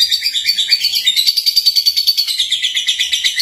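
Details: Young lovebird (Agapornis) singing and chirping: a continuous high, rapid chatter of buzzy notes pulsing about twice per second, steady throughout with no other sounds.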